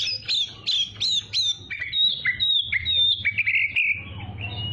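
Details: Oriental magpie-robin, a young bird, song used as training material to make young birds sing readily: rapid whistled notes sweeping down, then sustained high whistles and buzzy trills, with a low steady hum underneath.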